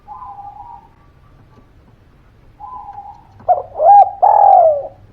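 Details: Spotted dove cooing as a lure to make silent birds answer: low murmured hums, then a stuttered pair of coos followed by a loud, long, downward-sliding coo.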